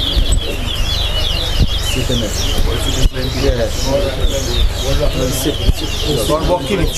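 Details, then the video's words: Chestnut-bellied seed finches (towa towa) at a bird singing competition at Lusignan, Guyana, sing rapid, twittering warbled phrases at high pitch almost without pause, over a murmur of crowd voices and a low rumble. "TOWA TOWA BIRD SINGING COMPETITION"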